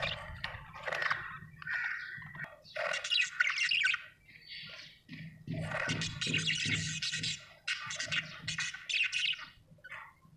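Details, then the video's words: Budgerigar chirping happily: broken runs of harsh, buzzy warbles and squawky notes, with low rhythmic thuds underneath. "Happy budgie chirping sound"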